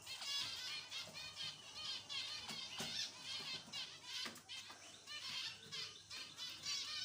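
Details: Crowded chorus of caged zebra finches in Odisha, India, with continuous harmonic, nasal chirps from many birds at once and occasional clicking knocks.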